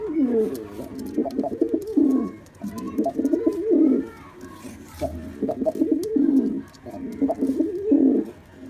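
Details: Throaty, rolling coo bouts from a displaying black male pigeon, several phrases per bout with brief quiet breaks and soft background clicks.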